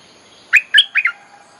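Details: Bulbul song played as a lure to call wild birds, a song also used to teach young birds: a short phrase of four quick, liquid, chirpy whistles in about half a second, the last two closely paired, over a faint steady background hiss.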